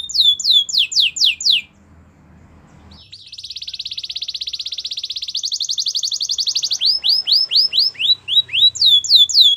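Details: Canary song for training others: quick downslurred whistles, a pause, a long fast buzzing trill that rises slightly, then more rapid swooping whistled notes.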